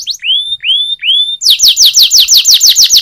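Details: Canary training song: three upward-curving whistled notes, then a quick run of bright falling slurs repeated several times a second.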